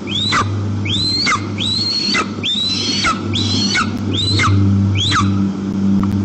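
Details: White-tailed eagles at their nest during a daytime visit by the whole family, Tatarstan, Russia, 1 September 2022: a series of seven thin, high whistles that rise then fall sharply, over a low steady hum and wind.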